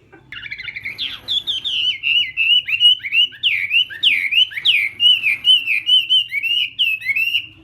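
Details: Chinese hwamei singing during morning voice training for song contests: a rich, fast run of loud whistled phrases, swooping up and down and repeated about every half second, with no other clear sounds.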